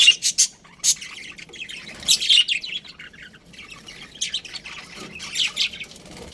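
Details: Budgerigars in a colony chirping: scattered bright, high chirps and short squawks in loose bursts, with quieter chatter between them.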